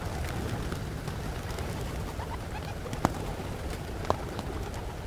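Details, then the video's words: Flock of hundreds of pigeons in Pigeon Valley, Cappadocia, Turkey. A dense, murmuring mass of low coos and grunts runs throughout, with two sharp clicks and scattered higher bird notes. "Pigeon Valley Cappadocia Bird Wings Sound"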